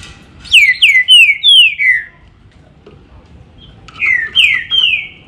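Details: Loud green-winged saltator song: a phrase of five clear whistles, each sliding downward, then a shorter phrase of three flatter whistles after a brief pause, with quiet background.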